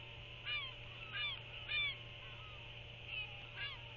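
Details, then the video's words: A royal albatross chick, alone in the post-guard stage, gives sky calls on 29 February 2024. These are high, nasal, wavering, slightly muffled trilling squeals in short bursts, about five in four seconds, over a steady hiss and low hum. "Royal Albatross ~ BOK Returns & Visits w/ TF Before She Leaves! TF Skycalls & Tiny Winglets"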